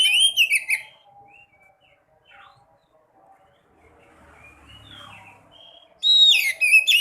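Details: White-breasted woodswallow (sekoci) voice used to rouse quiet birds into song: a loud, harsh, twanging chatter opens, a faint pause with soft distant chirps follows, then another loud, bending, squeaky burst.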